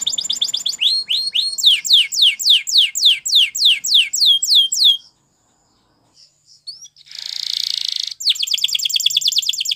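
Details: Canary training song: fast series of repeated downward-sweeping whistled notes for five seconds, a short pause, a brief buzzy burst, then a rapid high rattling trill.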